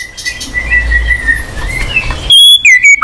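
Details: White-rumped shama (murai batu) song used to coax a silent bird: a thin sustained whistle over rumbling background noise, then clear high whistled notes dropping in pitch at the end.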